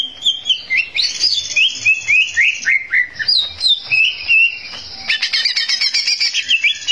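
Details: Greater green leafbird in full song, meant to provoke rival birds into rage: fast run of varied whistled notes, slurred up and down, followed by rapid buzzy chattering trills.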